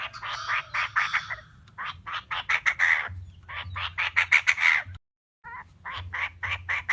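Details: Trapping lure of a female Chinese francolin: repeated runs of rough, squawking notes delivered in fast uneven series, a short silent cut midway, and low steady humming underneath throughout.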